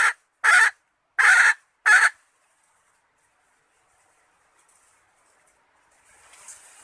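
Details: Female red junglefowl calling, used as a hunting lure to attract males: three loud, harsh clucks about 0.7 seconds apart, then near silence with faint rustling toward the end.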